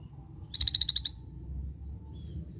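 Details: Scaly-breasted bulbul's distinctive call: a tight, fast string of about eight bright, high notes spread over half a second, then near silence apart from low background noise.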